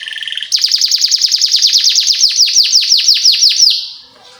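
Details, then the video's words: Canary lure song for young canaries: a short low rattle, then a long even roll of rapid descending chirps, about three per second, fading out at the end. "PANCINGAN Kenari GACOR PANJANG Cuit CUIT EMOSI ini AMPUH utk MASTERAN Kenari PAUD belajar BUNYI"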